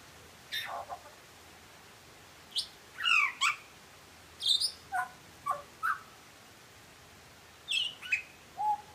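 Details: Butcherbird song of scattered notes, sharp downslurred whistles and high chips spaced by short silences, with a low whistle at the end.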